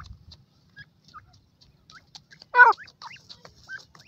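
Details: ['Female black francolin with her chicks: a single loud, rasping burst midway, surrounded by scattered soft, high, rising peeps from the chicks in an otherwise quiet setting.']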